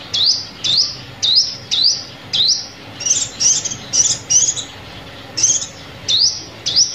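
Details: Sunbird lure call used in trapping: a brisk run of rising chips, then a cluster of higher, flatter flickering notes, and a return to upslurred chips, over low hum.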